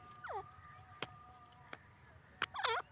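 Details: Free-roaming francolin, locally teetar: a sharp downward-sliding note opens, then scattered clicks, and a tight cluster of wavy, looping notes closes the three seconds over a low steady hum.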